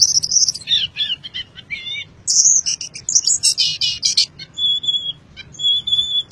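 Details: High, fast white-eye song from Boyolali, Indonesia: loud scratchy twittering bursts, a pause, then a harsh rapid chatter, followed by level thin whistled notes, all above a continuous low background noise.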